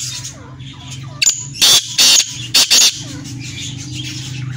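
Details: Black francolin (kala teetar) calling: a quick series of four or five loud, harsh, grating notes packed into about two seconds, over faint chirping of other birds and a low steady hum.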